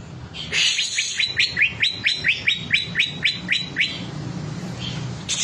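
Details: Green leafbird singing off its rich material: a fast, even series of about thirteen sharp, downward-slurred whistles, several per second, then a pause, with a low steady hum behind.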